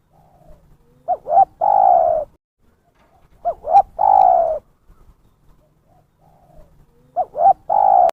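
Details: Spotted dove lure call used by bird trappers: three evenly spaced phrases, each a brisk double note leading into a long, full coo that drops slightly. Near silence lies between the phrases.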